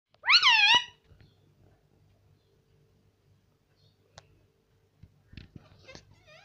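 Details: Pet parrot indoors, which talks and says papa and mummy: one loud, harmonic, wavering utterance near the start, then near silence with a few soft clicks and faint short calls at the end.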